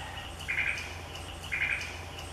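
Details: A Greater Antillean grackle in Puerto Rico gives two short, harsh, raspy notes about a second apart over a steady hiss and a low background hum.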